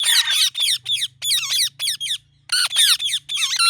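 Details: Ringneck parrot giving natural chirping calls: rapid runs of harsh, raspy screeches in close clusters with brief pauses, rising and falling in pitch, over a faint low hum.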